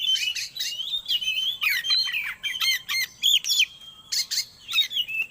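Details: Oriental magpie-robin song used to bring kept birds into breeding condition, a loud continuous medley of liquid whistles, bent notes and harsh buzzy bursts delivered in rapid, tumbling phrases.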